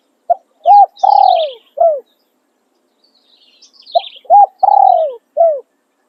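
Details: Decoy spotted dove singing calling and tossing crow styles: two cooing phrases, each a clipped note, a rounded coo, a drawn-out descending coo and a short falling ending, over faint distant bird chirps.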